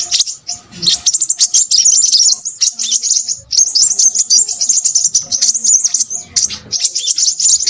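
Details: High, rapid chattering song of a Crimson sunbird, described as noisy: a quiet start, then a steady flood of thin, sharp chips and trills with small breaks.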